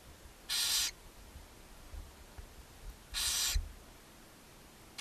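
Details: Barn owl at a chimney nest box in Ságvár, Hungary, on 4 May 2024, where the mother feeds seven owlets, giving harsh, breathy hisses about half a second long, some two and a half seconds apart, over a faint low rumble.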